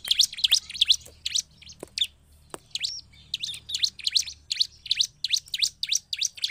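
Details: Bar-winged prinia, known locally as ciblek, singing a lively song used to provoke other prinias; rapid high chirps repeated about three per second, each a steep sweep, with a brief pause midway before the phrase resumes.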